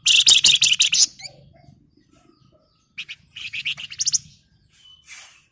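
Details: Flamboyan bird in lively gacor form, singing the dense ngebren rapat and nyerecet style: rapid bursts of high, buzzy, rattling chirps, a pause, then another quick chattering series and a short whistled note over faint low background hum.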